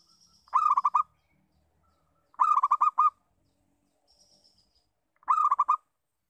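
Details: Local zebra dove repeating its lure call three times, each a half-second burst of fast, resonant cooing notes, spaced about two seconds apart, with faint high whistles between.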